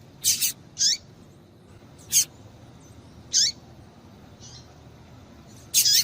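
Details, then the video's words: Calling female Double-collared Seedeater used to excite a male into song: high, bright chirps, some in close pairs, at irregular intervals, with a softer note midway. "Piado de Fêmea de Coleiro para Esquentar Coleiro"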